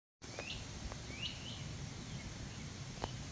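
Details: Great crested flycatchers calling in sycamore trees, Black River Reservation, Sheffield, Ohio, 10 August 2024. Two short, rising whistled wheep notes about a second apart, fairly faint over a steady low rumble.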